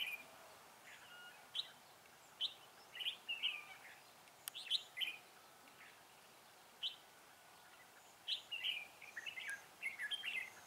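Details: Red-whiskered bulbul singing at a trapping site at Vườn Táo on 19 December 2016. Clusters of lilting, slurred whistles come in phrases of several notes, separated by quiet gaps of a few seconds, with one sharp click.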